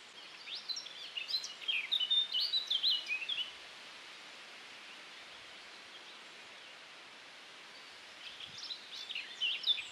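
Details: Male Eurasian blackcap singing on a very windy June day in Wiltshire, UK, in 2019, filmed on a Panasonic Lumix camera: a rich, fast warbling phrase of high whistled and scratchy notes, a quiet gap with steady wind hiss, then the song resumes.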